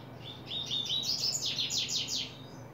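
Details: A Double-collared Seedeater in July 2024, just starting to open up its song, sings a quick, high twittering phrase of short notes that speeds into a run of sharp, down-slurred buzzy notes over a faint low hum.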